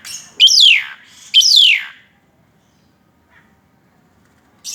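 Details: Asian pied starling in full, excited song while tripping. Two loud, harsh, downslurred squawking notes come about a second apart, followed by near silence and the onset of another note at the end.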